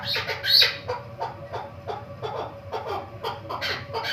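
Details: Female chukar partridge held in a cage for a month as a hunting bird gives scattered short, sharp clucking notes at an uneven pace, some doubled, against a steady faint background hum.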